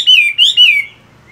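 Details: Loud morning phrase from a moulting caged Chinese hwamei: three quick, rich, slurred whistled notes, each sliding downward, then silence.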